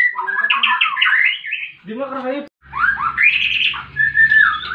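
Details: Fighting song of a white-rumped shama, meant to rouse silent birds: tumbling whistled notes and rapid trills, a short burst of lower harsh chatter in the middle, then rising whistles again over a low background drone.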